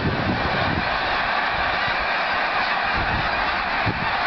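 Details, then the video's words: A flock of snow geese taking off on 23 November 2010, west side of Delaware Bay north of Lewes: a dense, unbroken clamor of overlapping honking calls, loud and steady throughout, with a soft low rumble underneath. "Snow Geese Take off"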